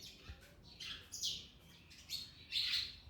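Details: Mian Mithu parrot eating orange, uttering a quick series of scratchy high chirps that grow louder, the final note the strongest.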